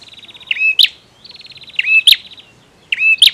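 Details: Male bar-winged prinia giving three phrases in quick succession, each opened by a fast pulsed buzzy rattle that runs into a clear whistled note and ends in a piercing high click.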